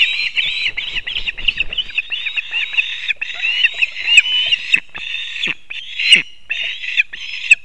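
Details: Osprey family at a nest in Kurzeme, Latvia, early morning of 3 September 2024, as the male brings two fish at once for the chicks; dense, overlapping shrill whistled calls, continuous and squealing, with occasional sharp clicks.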